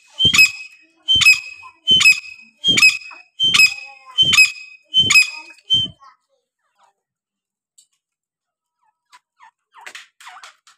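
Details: Grey partridge, known locally as teetar, kept in pairs: seven sharp, high, ringing call notes repeated evenly about every three-quarters of a second, with low thumps under each note, then near silence with faint scratchy sounds.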